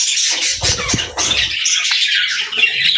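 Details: Happy budgerigars chirping: dense, continuous high warbling chatter with overlapping scratchy notes, and a burst of low thumping noise in the middle.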